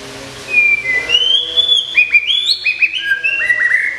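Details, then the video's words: Moulting caged white-rumped shama, a prize-winning contest bird, pours out a rich run of whistles: a clear opening note, then rapid rising and falling slurred phrases repeated several times a second. "SUARA BURUNG : Perawatan Mabung Murai Batu"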